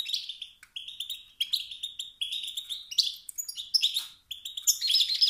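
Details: Male European goldfinch uttering motivating twitters said to drive rival males to sing: repeated bright, slightly buzzy chirps in quick phrases, steady and high, with short breaks.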